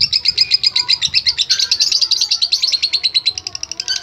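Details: Lovebird singing the long ngekek song, used as a training recording. A quick, high chattering trill with slightly slower, rolling pulses carries on for four seconds, brief low thumps in the background.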